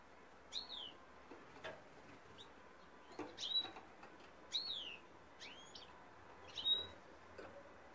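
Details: Male European goldfinch singing: a loose series of short, bright, slurred chirps high in pitch, some dropping sharply, spaced irregularly about every half second to a second, with faint clicks between phrases.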